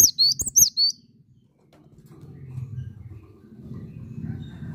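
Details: Cinereous tit (gelatik batu), singing vigorously: a short burst of about four high, sharp whistled notes, each a quick down-up slur, then quiet with a low background rumble.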